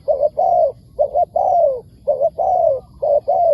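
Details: Spotted dove in the wild answering a decoy, rapidly repeating paired short coos alternating with long, slowly falling coos, almost without pause.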